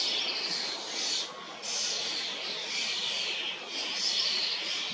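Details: Common starling young being fed by adults in a high sweet cherry tree, Hrodna city, western Belarus, 2 June 2025, with hundreds present; a steady chorus of grating, wheezy screeches rises and falls, briefly dipping twice.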